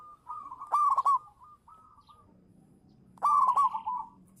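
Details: Two loud, rolling cooing phrases from a champion local zebra dove lure bird, about 2.5 seconds apart, with faint sustained coos between them and low background noise.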